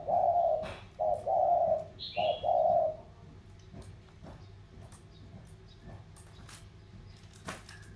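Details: Vietnamese 'thổ' spotted doves, from riverine Sóc Trăng and mountainous Cam Ranh, in contest. A short burst of four low coos comes first, followed by quiet with clicks and a high descending chirp from another bird.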